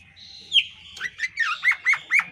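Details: Female Oriental magpie-robin (kacer poci) in breeding condition, displaying with tail spread. Thin whistle, then a quick run of six descending chirps, roughly one every quarter second.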